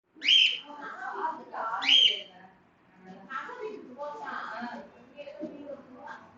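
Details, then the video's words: A cockatiel gives two loud, shrill whistled chirps near the start, then softer chattering and warbling notes, with faint speech-like sounds in the background. "COCKTAIL BIRD 🐦 BEAUTIFUL PLAYING AND MAKING SOUND"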